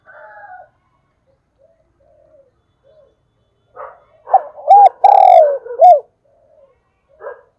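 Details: A spotted dove kept as a decoy gives a calling coo after scattered soft notes: a hooked coo, a long falling coo and an arched closing coo, with a few sharp clicks over the middle.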